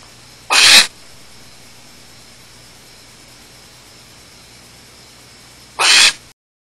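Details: Barn owl nest with chicks at Starr Ranch, evening of 30 June 2010, after the male mated and stepped on the chicks as he left. Two short, airy hisses are heard about five seconds apart over quiet background.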